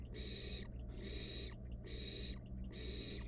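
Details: Wild barn owl nestling in a research nest box, playing with its dinner, gives long harsh hissing screeches of about half a second, four in three seconds, with soft clicks between and low hum.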